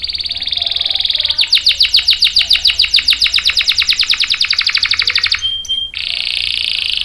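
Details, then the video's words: Canary song meant for luring and tutoring juvenile males: a steady high buzzy tone breaks into a fast, even rattling trill of many repeated notes, then a brief pure whistle and the buzz resumes. "SUARA KENARI GACOR ampuh buat pancingan dan masteran kenari paud dan macet | CANARY SINGING"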